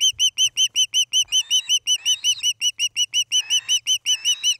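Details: Osprey calling at its nest in Charlo, Montana, filmed by nest camera on an August 2018 evening: insistent, evenly spaced whistled chirps, close to three per second, with a fainter raspy second voice underneath in places.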